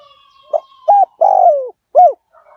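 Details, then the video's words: Lure call of a fierce 'liu tan' spotted dove, meant to draw wild doves in fast: a short coo, then a bent coo, a long drawn, falling purring croo and a final hooked coo, over a faint steady whistle. "เสียงต่อนก หลิ่วตันสายพันธุ์ดุ นกป่าเรียกกุกเข้าเร็ว เสียงนกเขาใหญ่ป่าเต็ม100"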